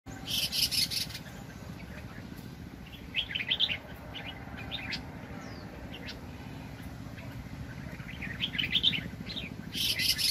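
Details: Red-whiskered bulbul, a decoy bird described as very aggressive, used for trapping in 2020. Short warbled phrases sit mid-clip and again near the end, with broadband noise bursts at the start and finish and a steady low rumble.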